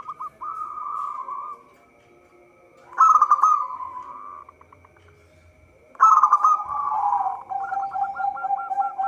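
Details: Zebra dove of a local strain, song used as a trapping lure, giving three cooing phrases spaced about three seconds apart, each a loud stuttered burst sliding into a softer rolling trill, the last followed by quick repeated clipped notes; steady faint background hum.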